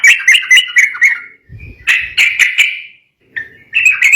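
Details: Agitated sooty-headed bulbul song that provokes rivals to answer; quick chattering phrases of slurred mid-pitched notes, a short pause with a faint low rumble, then more bubbly notes.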